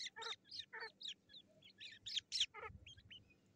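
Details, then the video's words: Black francolin chicks fighting, dated 18 July 2024: rapid high, thin chirps and short squeaky notes in irregular bursts, about four per second, with a low background rumble. "Teeter kids fighting best .kala teeter kids."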